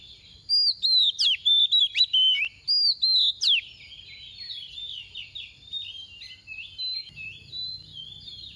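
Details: Soft-voiced female oriental magpie-robin decoy giving a brisk run of loud sweeping whistles that trails off into a long, quiet, rambling warble.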